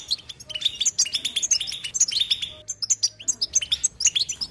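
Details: European goldfinch in nonstop 'betbeta' twittering, a lively run of bright chirps and ringing whistled notes in quick bursts, briefly pausing midway before resuming.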